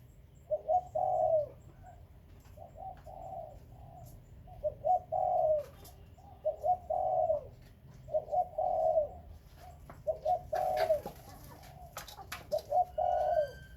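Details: Captive breeding spotted doves, named Khmer and Malay doves, cooing steadily: about eight phrases of two short notes and an extended rolling coo, evenly paced, with faint chirps and a brief rustle near the end.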